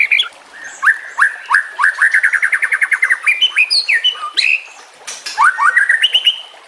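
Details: Murai batu song with trickling water, used to train other birds: a few spaced upslurred whistles build into a quick regular series of rising notes, then descending whistles, a pause, and more rising whistled phrases.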